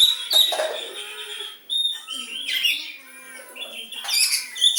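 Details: Oriental magpie-robin singing in the style of a sooty-headed bulbul: loud, high whistled notes and bright chattering phrases with quick rising and falling sweeps, in varied bursts with a short pause near the middle.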